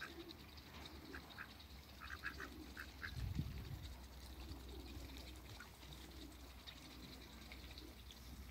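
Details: In a backyard, two male Muscovy ducks and a female meet other waterbirds, giving a short series of clipped nasal notes followed by a louder, low, rough burst, with a constant low hum underneath.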